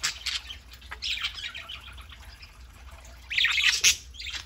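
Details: Several pet parakeets chattering on a Saturday morning: dense bursts of high, scratchy warbling and chirps, quieter in the middle, then a loud energetic flurry near the end.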